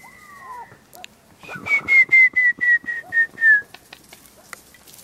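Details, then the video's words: Montezuma quail covey at Bonita Canyon Campground, Chiricahua National Monument, whistled in by a person imitating the presumed female song: a quick, falling series of about eight clear whistled notes sliding lower step by step, with clicks and rustling. "Montezuma Quail Covey Whistled In"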